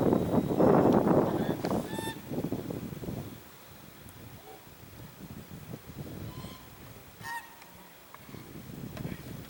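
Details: African geese filmed at Jordan Valley on January 19, 2021, honking: a loud burst of overlapping harsh honks at the start, then scattered quieter honks with faint outdoor background noise.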